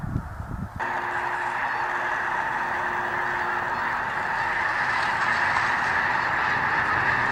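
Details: A dense chorus of migrating snow geese at Freezout Lake, Montana, a staging area on their way north to Arctic nesting grounds: countless overlapping high nasal honks blending into a continuous clamor, with blowing wind rushing underneath.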